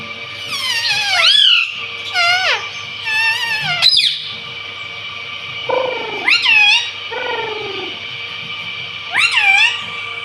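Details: Pet green parrot taught to say "mummy" and "mitthu" utters a run of harsh, harmonic, speech-like syllables, several bending up and down in pitch, in bursts separated by short pauses, with a constant background hum.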